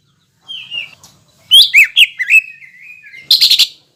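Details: Greater green leafbird song used to rouse other green leafbirds: a soft opening whistle, then loud sweeping whistled notes trailing into a long level tone, ending in a quick harsh rattle; quiet background.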